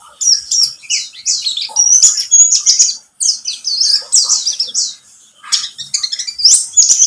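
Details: Lure song of a pleci buxtomi white-eye meant to start other birds singing: fast, high twittering phrases of thin slurred notes, interrupted by two short silences.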